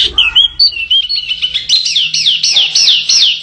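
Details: Canary song from a tutor recording for contest songbirds: a run of rapid whistled syllables, each dropping in pitch, sped up into a fast rolling trill in the second half, with a faint low hum beneath.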